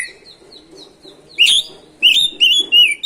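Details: Oriental magpie-robin (kacer) singing to provoke other birds: soft repeated short notes, then loud rich whistled phrases with warbling trills, over faint low background noise.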